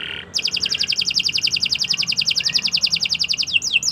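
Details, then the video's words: Canary singing in a training recording for other birds: a long, fast, regular trill of doubled notes ending in a few swooping whistles, over a low background hum. "Kicau Burung Kenari 164 II LUAR BIASA GACOR PANJANG Cocok untuk Masteran"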